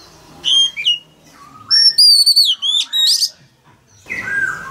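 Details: Male Oriental magpie-robin singing to stimulate a young bird: a couple of sharp whistles, then a run of bright, sliding whistled notes and a raspy burst, followed by softer sounds.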